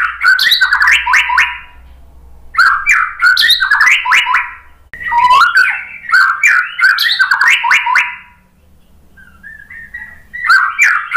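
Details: White-rumped shama song used as a lure to provoke other shamas into singing: rich bursts of fast, varied whistles, slurs and sharp ticks in phrases of about two seconds, separated by brief pauses, over a faint low hum.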